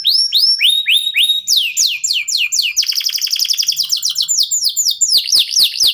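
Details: Local canary (kenari lokal) singing continuously as a lure to get other songbirds singing; rapid repeated upswept whistles, then fast trills and clicking rattles, all high-pitched and bright.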